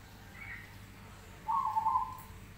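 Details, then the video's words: Singing crossbred zebra dove with a crest: a soft faint note early, then a loud, steady, slightly rough coo at mid pitch lasting about a second, pulsing in loudness, against a constant low hum. "Jambul Perkutut manggung gacor Krosing suaranya seperti ini"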